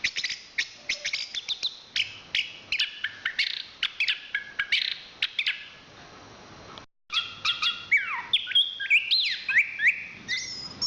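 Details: Chestnut-capped thrush (anis kembang), a national champion songbird of Southeast Asian forests, singing a rapid varied medley of high sharp chirps, trills and whistled slurs, with a brief silent gap midway before livelier sweeping notes resume.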